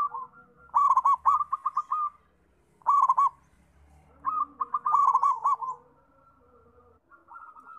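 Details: Zebra dove in active song gives bursts of rapid stuttering coos. Each phrase ripples through several quick pulses and ends in a longer held note, and the phrases are separated by short pauses.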